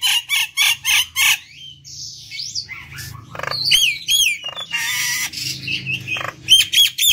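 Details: Nias hill myna singing vigorously, recorded for playback to lure and stimulate other birds; a run of loud, evenly spaced harsh notes, then varied whistles, squeaks and rising slurred phrases, ending in more clipped repeated notes.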